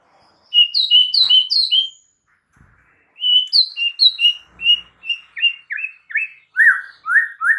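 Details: Lure song of a white-rumped shama for provoking rival shamas: a burst of repeated paired whistles, a pause, then a steady run of clear notes that drift lower toward the end.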